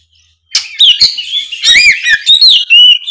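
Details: Oriental magpie-robin in loud, open song, played as a lure for an off-form speckled bird; after a brief silence, a continuous stream of bright whistles, slurred notes and crisp chips.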